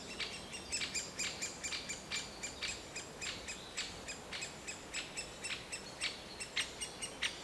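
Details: Juvenile great spotted woodpecker in its nest hole, calling nonstop while the parents feed it, heard from 10 to 15 metres beside a busy path: sharp, high, rasping chirps repeated about twice a second at an uneven pace.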